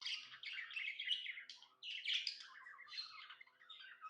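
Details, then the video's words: Happy pet budgerigar chirping: dense, scratchy warbled chatter of buzzy high notes and rapid squeaks, with short pauses between bursts, indoors. "Happy budgie chirping sounds"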